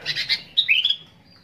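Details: Sooty-headed bulbul singing actively, recorded as fill-in song material: a dense burst of harsh, chattery notes, then a short phrase of bright notes rising in pitch, all within about one and a half seconds.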